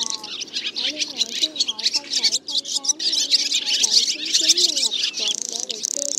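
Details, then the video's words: Black, white-bellied swallows gathering the flock to roost, used to lure birds into nets: loud, overlapping high twitters and chirps, punctuated by lower sliding whistled notes that rise and fall. "Tiếng ÉN Đen Bụng Trắng Gọi Bầy Về Ngủ"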